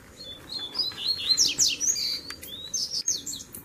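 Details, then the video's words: A mixed chorus of Double-collared seedeaters singing tui-tui, zel-zel and mateiro styles, meant to stir other birds: rapid high whistled notes, steep downward slurs and quick twittering phrases running almost nonstop. "Baderna de Coleiro Tui Tui Zel Zel e Mateiro Top Pra Esquentar a Fibra do Seu!!!"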